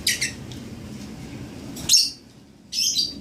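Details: Lovebird chick seven days old, three brief high, rasping chirps spaced through the recording over a faint low background hum.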